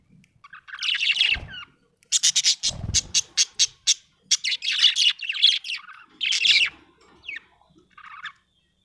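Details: Budgerigar in a happy mood, chattering with warbled chirps and a fast evenly spaced series of about ten clicking chirps, then more scratchy warbles that fade near the end; a brief low thud early on.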